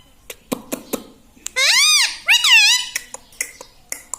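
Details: Talking pet ring-necked parrot in a small room imitating words: soft clicks and taps at first, then two loud, rich harmonic phrases that arch up and down, followed by scattered sharp clicks.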